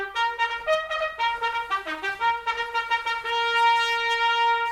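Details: A solo trumpet plays a short melody of separate tongued notes, then ends on a long sustained tone in a small room.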